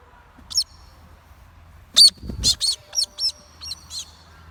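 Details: A pet Galah, a parrot native to Australia, screams when happy and excited, as galahs naturally do: about eight short, harsh screeches, one alone, then a quick irregular burst over two seconds, with a brief low thump.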